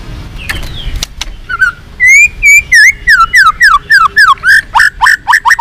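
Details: White-rumped shama singing a varied song to stir up fighting: a few rising whistles, then a rapid descending series of clear slurred notes, quickening into a brisk repeated trill.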